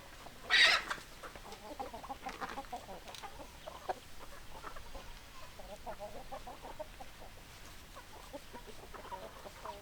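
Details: Hens and roosters: one loud, harsh squawk near the start, followed by a steady scatter of soft, low clucks from several birds over a quiet background.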